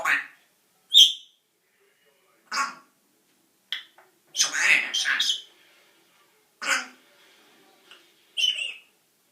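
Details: Pet parrot, a male, swearing in mimicked human speech; separate harsh squawky word bursts and short phrases spaced irregularly over several seconds, with one longer babbling run in the middle, indoors with no other sounds.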